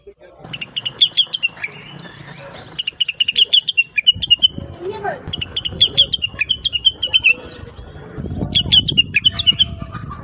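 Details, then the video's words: Blue-winged leafbird (rengganis) in busy, melodious song meant to train trucukan and other cage birds. Repeated quick phrases of high sweet twitters, with low rumbling background noise building in later parts. "Rengganis / Cucak Wilis Gacor Cerewet Suara Merdu || Masteran Terbaik untuk Trucukan dan burung lain"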